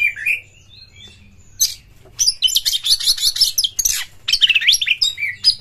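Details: An Oriental magpie-robin in excited, varied song meant to stimulate other birds: soft slurred whistles first, then loud, dense bursts of jumbled chattering and warbling notes that keep building.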